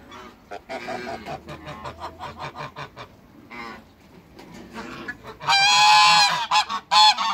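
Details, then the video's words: A couple of African geese kept in a backyard with other waterbirds, giving a rapid series of short nasal honks that build into a louder, harsher drawn-out honking bout near the end. "COUPLE AFRICAN GEESE"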